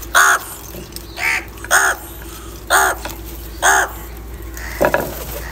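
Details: Crows heard live in a setting of fighting, anger and calls for food, giving about six harsh caws at uneven intervals near one per second, with a softer call near the end.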